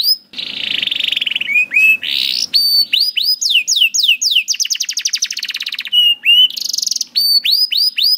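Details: Tutor song of a canary meant to train young canaries to sing: a buzzy start, clear whistled slurs, then alternating fast rattling trills and loud repeated downward-sweeping notes.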